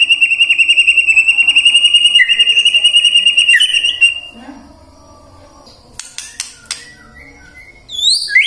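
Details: White-rumped shama lure song meant to set other shamas singing in the morning, midday and afternoon. It opens with a fast, evenly pulsed high whistle lasting about four seconds, then a quiet gap, scattered clicks and a few upward-sweeping whistled notes.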